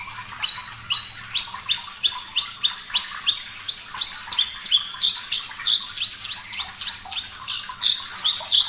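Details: Lively, clear-voiced Javan bush lark of the Parva type on a training recording: a fast, even string of about three high, downslurred chirps per second, shrill and ringing, continuing without pause.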